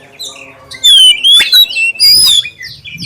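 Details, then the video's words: Brief clear lure song of a black-breasted oriental magpie-robin, used to draw other magpie-robins into song: two loud, smooth whistled phrases sliding up and down, with faint high chirps after them. "suara pancingan kacer dada hitam suara jernih"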